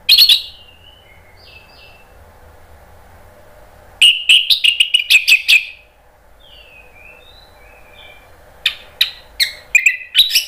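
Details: Orange-headed thrush giving lure song intended to make other birds sing back: brief bursts of whistles and rapid stuttering chips, with soft quieter warbled notes in the long pauses between bursts.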